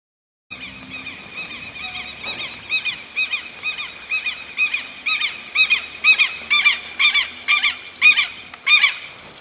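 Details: Dawn birdsong at the São Pedro church in Gramado: shrill, squeaky notes repeated about twice a second, growing steadily louder, over a faint low hum.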